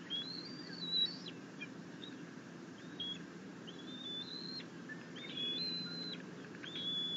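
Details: Young bald eagle on the nest, excited as mom brings in a fish, 9 June 2021, gives repeated high, thin, level whistles, short and flat-topped with upward slurs, over constant low-pitched hum.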